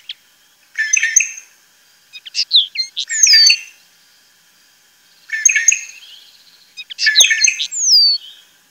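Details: Jilguero, the European goldfinch, recorded around Tablas de Daimiel and Villarrubia in the Llanura Manchega, Spain: four bursts of twittering song mixed with clear downslurred whistles, separated by short silences.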